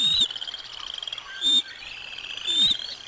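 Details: Bald eagle nest at Decorah North, 05 06 2022, lunch brought for the eaglets; continuous high squeaky chirping with three louder bursts, each paired with a low descending whoosh.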